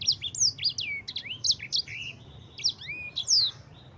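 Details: Energetic yellow-fronted canary sung as a tutor for other cage birds: closely spaced high whistles that slide down, mixed with buzzy notes and a few long rising slurs, over a faint low hum.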